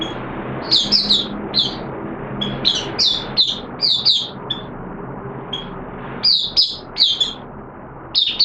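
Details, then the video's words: Oriental white-eye, locally called mata puteh, a caged hobby bird singing in wet weather; high thin twittering phrases come in bursts separated by pauses, over a low background hum. "Mata Puteh T Rex Buka Sing"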